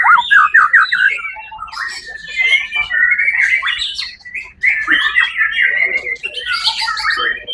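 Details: White-rumped shama, champion of the Suara Agung songbird competition held 1 October 2023, pouring out fast looping whistled phrases and chattering runs, a brief pause near the middle, then more rapid varied notes amid other birds at the contest.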